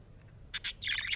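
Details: Happy budgerigar giving two quick, clipped high chirps followed by a brief, scratchy warbling chatter, all within about a second, over faint low room noise.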